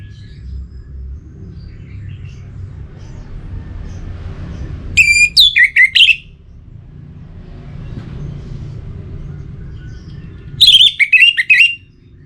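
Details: An orange-headed thrush kept in Singaraja, North Bali, singing in breeding condition to call a rival. Two short, loud bursts of jumbled whistles come about six seconds apart against a quiet, low-pitched background murmur.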